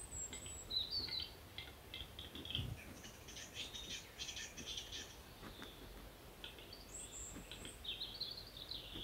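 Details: A western capercaillie cock at a lek in Finland at first light, courting females from a tree branch, gives its display song: a string of dry clicks running into a scratchy, grinding whetting phrase, with thin, high whistles from smaller birds over it.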